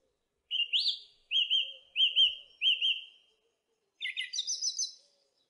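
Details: Song thrush singing, repeating one rising whistled phrase four times in a row, then switching after a short pause to a rapid, higher chattering phrase.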